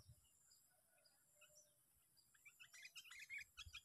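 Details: A trapped Sooty-headed bulbul on its sixth sparring day in a park gives a rapid run of bright chirps in the final second and a half, following scattered faint notes and low rumbling.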